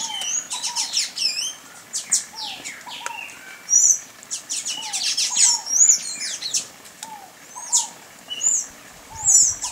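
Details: Thin, squeaky high-pitched notes from a Sayaca tanager, given in rapid clusters and then spaced out, mixed with frequent low, soft, falling whistles and dense chirping of several birds.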